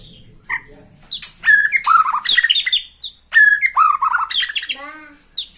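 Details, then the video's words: Caged White-rumped shama from Borneo singing excitedly at the sight of a rival: loud rapid bursts of varied whistles, chattering trills and buzzy notes, with a few lower descending notes near the end. "MURAI BORNEO MAIN EMOSI SATU TITIK LIHAT LAWAN"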